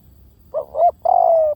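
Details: Spotted dove giving a decoy-style lure call: a short three-part cooing phrase, two quick hoarse coos followed by a longer drawn-out steady coo, clear against a quiet background.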